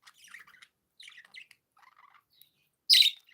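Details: Happy pet budgies chattering: soft, scratchy warbled chirps in short bursts, ending with one loud, harsh squawking chirp near the close.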